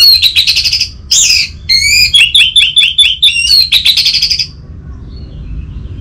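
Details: Orange-headed thrush in energetic song meant to prompt a stalled caged bird: fast, continuous, varied warbling with repeated whistled notes and trills, fading out after about four seconds, over soft hum.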